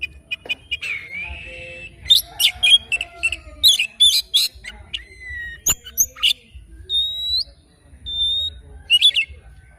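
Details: An oriental magpie-robin sings in the morning, mixing scratchy chattering phrases with clean, slightly rising whistled notes repeated every second or so, plus one sharp click partway through.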